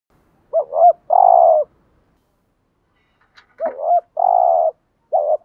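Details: Spotted dove giving a gù thúc (urging) coo meant to lure wild doves: a low hollow wavering double note, then a longer steady hooting note, the phrase heard twice with a short quiet gap.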